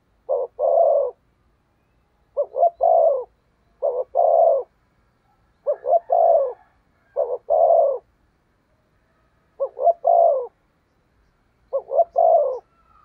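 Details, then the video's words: Spotted dove kept as a decoy for luring wild doves, repeating its coo phrase about every two seconds: two or three rapid stuttered notes followed by a long burry coo, clean and close. "Chim Cu Mồi/ cu gáy thúc gù cực đỉnh kích bổi dợt mồi hiệu quả"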